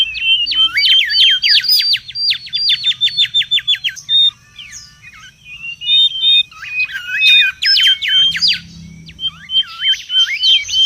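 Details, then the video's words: Wild mangrove whistler in busy, noisy song, fast bursts of sharp whistled notes repeated in quick runs, broken by short level whistles and a pause, then another rapid burst of notes; faint low hum. "SUARA PIKAT DAN MASTERAN BURUNG KANCILAN BAKAU RIBUT DI ALAM LIAR"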